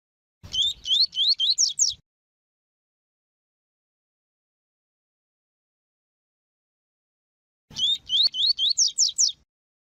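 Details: Double-collared seedeater in tui tui song style, heard alongside female calls meant to excite a male: a fast burst of about seven rising whistled notes, silence for several seconds, then the same burst repeated.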